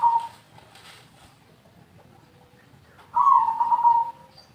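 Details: Spotted dove (tekukur) giving a long, steady, buzzy coo at the end, after a short opening note, over a faint hiss of background noise.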